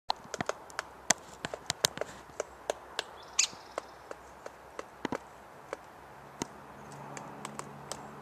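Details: Downy woodpecker (identification uncertain) pecking on a tree outside a trailer: sharp, dry knocks at an uneven pace, several a second in bursts, with other birds and faint outdoor noise.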